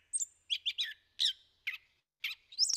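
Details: Gray Catbird song in a Chevy Chase backyard, a bird newly arrived in the neighbourhood that returns each year: a jumbled run of short, scratchy, high chirps and squeaky notes, each phrase different, ending in a harsher mewing burst; a long string of songs rather than true mimicry.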